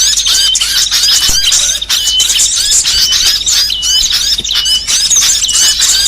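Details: Small songbirds in a varied training recording for songbirds: dense, high, thin chattering with quick upslurred and downslurred whistles and a steady trilled note, looping without pause.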